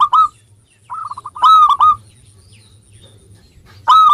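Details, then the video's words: Actively singing local zebra dove, played to coax lazy birds into song: a loud ringing coo, then a quick series of short staccato coos ending in stronger notes, a quiet pause, and the phrase starting again. "Perkutut Lokal Gacor Suara Ampuh Mengundang Cepat Agar Bunyi _ Cocok Untuk Pancingan Malas Bunyi"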